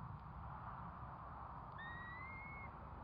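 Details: Curlew around the hatching of four chicks, giving a single drawn-out whistle that climbs gently toward its end, over a constant low rumble.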